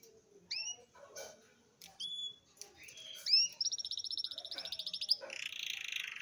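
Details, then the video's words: Young red siskin, eight months old, beginning to sing: scattered clear whistled notes, some sliding upward, lead into a fast, buzzy, evenly pulsed trill lasting over a second. A harsher rasping note ends the passage. "filhote canela com 8 meses abrindo o canto"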